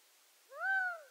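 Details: A Gambel's quail utters one drawn-out, slightly rising then falling nasal cry of about half a second after a brief silence, with no other sounds present.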